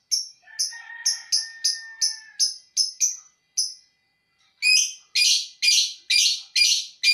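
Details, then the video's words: Lovebird giving its 'ngekek' song: sharp, high, clipped chirps repeated about twice a second, a faint lower trill under the first half, then a pause and a run of louder, harsher, buzzier notes. "Kurang 1 menit burung love birth mu bakal ngekek abisss"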